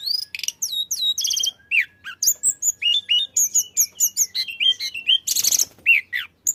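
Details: Flycatcher singing vigorously, intended to coax other birds to sing: rapid trills, looping whistles and short chirps repeated in quick succession, with one harsh buzzy burst near the end.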